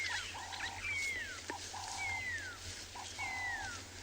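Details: Pearl-spotted owlet calling in the afternoon during a game drive in a South African game reserve, near elephants; long, clear whistles sliding downward, one about every second, between flat lower tones, over a low engine-like rumble.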